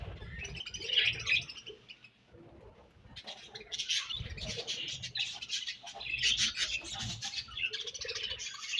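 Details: Budgerigars chattering as they eat their favourite food: a continuous warble of high, grating chirps that grows busier after a brief lull, over soft low rustling and pecking.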